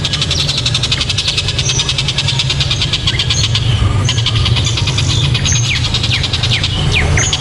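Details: Kingfisher (tengkek buto), a very loud, sharp-voiced bird: long run of rapid, regular scratchy pulses that pause briefly then resume, over constant low engine-like droning, with scattered short whistled notes from other birds near the end.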